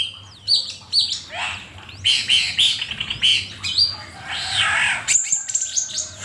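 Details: Asian pied starling singing, as a master track for training songbirds: a continuous medley of loud chirps, rasping notes and rising whistles, with dense repeated phrases and a high clear note near the end.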